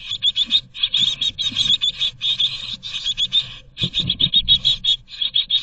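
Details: Great tit nestlings in a Berlin nest box in 2022 beg to be fed, giving a loud, high, buzzy chorus of pulsed squeaks in quick bursts, with dull knocks and scuffling from within the box.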